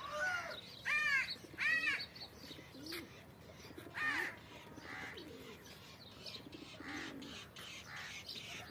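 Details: Blue-shouldered Indian peafowl on a farm in Pakistan during its courtship dance; loud nasal calls with rich harmonics, arching up and down, repeated every second or so, amid other birds calling and background noise.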